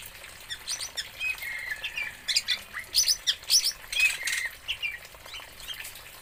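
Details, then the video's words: Oriental magpie-robin from Aceh, Indonesia, giving a rapid, uneven run of harsh, high squawky chirps and scratchy notes, rising to a louder burst in the middle, with more chatter fading at the end. "BURUNG KACER ASAL ACEH"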